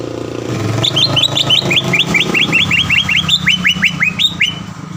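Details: Green leafbird song as a lure to stir a rival bird to sing: rhythmic run of clear looping whistles, repeated nearly three times a second, over steady low rumbling background noise.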